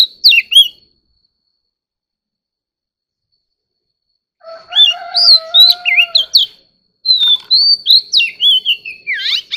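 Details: Competitive singing from an Oriental magpie-robin: one short whistled burst, a long silence, then lively varied whistles over a low, steady drawn-out tone, and after a pause another fast run of warbled notes.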